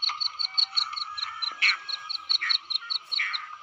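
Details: Female grey francolin call made of evenly spaced short high pips, about five each second, with a few louder, harsher chirps breaking in across a continuous thin ringing tone.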